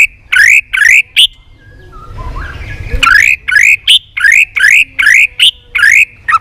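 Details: A White-rumped shama sings competitively while flicking its tail. Short bursts of bright upslurred whistles repeat rapidly, broken by a brief quieter gap, then a steady run of loud rising notes.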